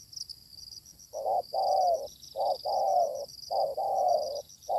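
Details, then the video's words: Spotted dove in the wild, fiercely responding to a decoy: repeated loud, hollow cooing phrases, short notes paired with longer drawn coos, about one phrase a second, over a high insect hum. "Pikat tekukur ketemu tekukur liar garang"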